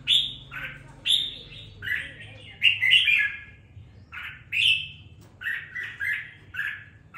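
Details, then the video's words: Red-whiskered bulbul kept in a cage, two weeks after purchase, finding its voice: loud clear whistled notes and bubbly, slurred phrases in quick clusters, separated by short gaps over a faint low hum. "Đánh liều mua con chào mào chỉ chọn bóng bộ ,sau 2 tuần nuôi dưỡng em nó đã ra giọng có chút lửa"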